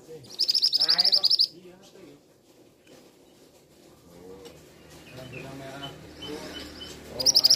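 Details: Male scarlet minivet giving its 'teriakan' calls: a loud, shrill rapid series of high notes opening the stretch and returning at its end, with lower harmonic sounds and a quiet gap between the bursts.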